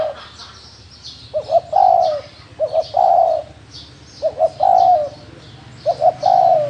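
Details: Spotted dove, a wild field bird, cooing in regular phrases; each has a pair of short hoots and then a longer mellow note, four phrases at even spacing with faint high chirps.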